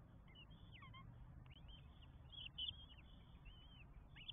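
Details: Northern goshawk chicks at an Estonian nest during feeding, 24 May 2022, four young begging; scattered thin, wavering squeals and down-slurred notes in short bursts against a low hum.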